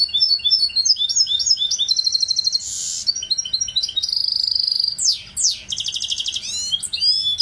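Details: Goldfinch mule, a goldfinch hybrid, singing a fast, varied high twittering song: rapid trills, buzzy rattles, clear whistled notes and sweeping downward slurs run together without pause.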